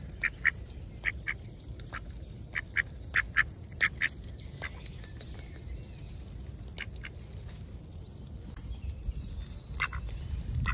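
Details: Ducks, friendly and approachable, being fed oats on a chilly morning after a stormy night, give short, nasal quacks in quick bursts over the first four seconds, then quieter scattered calls over a low, steady background rumble.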